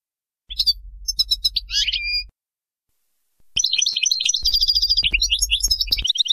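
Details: European goldfinch song used for teaching young birds: quick tinkling twittering phrases with buzzy trills, a short pause, then a long fast run of high chirps; low hum beneath parts.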